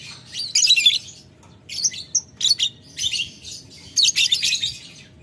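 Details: Lovebird calling a rival, ngetik ngekek: clusters of high, scratchy squeaks and ticks in several short bursts separated by brief silences.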